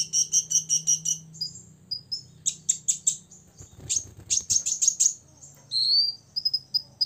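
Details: Olive-backed sunbird, a six-year-old male singing to provoke rivals: fast high trills of sharp chips, a brief pause, then more rapid chip bursts and thin whistled notes.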